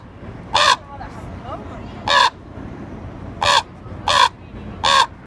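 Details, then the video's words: Common raven calling in Juneau, Alaska on June 2, 2018: five harsh, croaking caws, each short and rough, spaced irregularly about one to one and a half seconds apart, over a low steady background hum. "Raven sounds"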